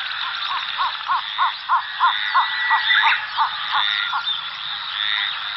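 A Cinnamon bittern gives a run of about a dozen low, hollow croaking notes, roughly three per second, over a steady hiss of insects.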